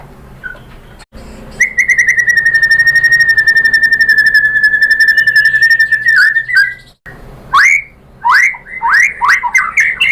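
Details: White-rumped shama song for luring a rival: a very fast, sustained steady trill lasting over four seconds, then a break and a run of sharp, varied upslurred whistles.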